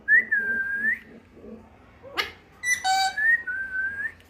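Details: Mitthu, a pet parrot, whistling a long, wavering tone that dips and rises. A brief harsh squawk cuts in midway, then more clear whistled notes follow, with a faint soft murmur underneath.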